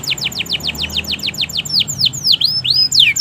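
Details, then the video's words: Canary in full, lengthy song meant to stimulate reluctant canaries: fast repeated downward-sweeping whistles, then slower, wider swooping notes, some rising and falling, loud and clear against a quiet background. "pancingan suara burung kenari gacor panjang! ampuh merangsang kenari yang susah bunyi"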